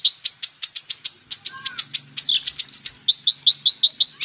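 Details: Purple-throated sunbird (Kolibri Ninja) in a training track mixed with magpie-robin song. Rapid, sharp high chips about 2.6 per second, a brief dense trill in the middle, then evenly spaced high notes.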